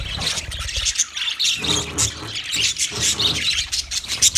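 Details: Budgies give rapid scratchy chirps and squawks in a continuous jumble, with faint low knocks in the background.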